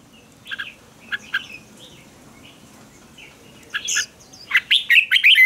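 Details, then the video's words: Red-whiskered bulbul combative song for voice training. Scattered short paired chirps over a faint low background hum, then a sudden loud flurry of rich, rolling warbled notes to close. "Kích chào mào hót đấu"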